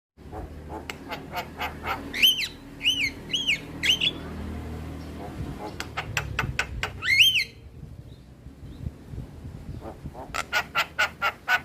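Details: Male Javan myna singing a natural song: loud harsh squawks, grating buzzy notes and sharp clicking bursts in irregular phrases, with quieter gaps between, over a low background hum.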